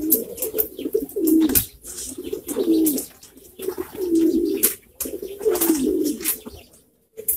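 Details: A flock of pouter pigeons, a domestic pigeon breed: deep, throaty coos swelling and dipping, repeated roughly every second and a half, with sharp tapping and wing flutters in an indoor loft.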